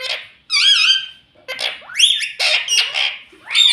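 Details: A pet parrot known for saying mummy, papa and mitthu voices a string of raspy, harmonic, word-like squawks, some sweeping sharply upward, packed closely together over nearly four seconds.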